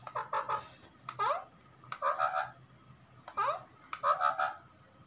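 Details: Repeated scratchy lovebird calls come roughly every second. Quick rising squeaks blend into grating, harmonic chatter over a soft constant hum.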